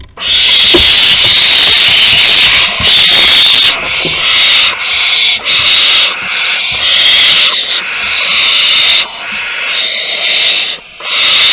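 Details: Barn owl chicks at the nest entrance in Théding on 15 August 2020, during prey deliveries: loud, overdriven, nearly continuous hissing screeches broken by short gaps, harsh and distorted throughout.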